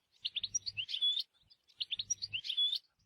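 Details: Goldfinch in nature repeating the same short twittering phrase twice: a few quick chirps, rolling warbled notes and a drawn-out thin whistle, with a low hum beneath each phrase.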